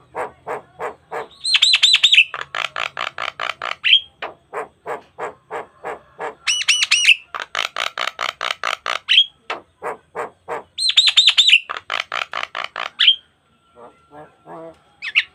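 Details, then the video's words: Long gacor mompa song of a Javan myna, jalak kebo, full of variation, used to tutor other starlings: steady trains of buzzy pulses broken by high ringing whistled phrases, repeated in cycles, ending in softer notes. "Pancingan Jalak Kebo Gacor Mompa Full Variasi - Masteran Suara Burung Jalak Kebo Full Isian Mewah"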